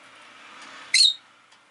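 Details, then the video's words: Pet rosy-faced lovebird giving a single sharp, shrill chirp about a second in, high and harsh, with quiet room murmur before and after. "Lovebird Chirping Sounds"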